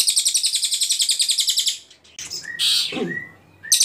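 An Ashy Tailorbird gives a rapid, high, buzzy trill of quick repeated notes, then a pause with a few clear whistles and soft rustling before the trill resumes.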